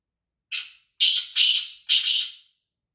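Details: Black francolin, a native desi bird in England, giving a rasping four-note call: a short opening note, then three loud, harsh, grating notes in quick sequence.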